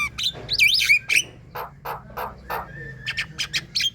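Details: Moulting Javan myna in full chattering song, played to coax other birds into singing: squeaky twisting whistles, then rhythmic harsh rasping notes about four per second, ending in more sharp chips.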